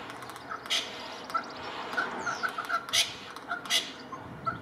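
Little wattlebird giving a few harsh, rasping bursts mixed with softer gurgling notes at an uneven pace, over a low steady background hum.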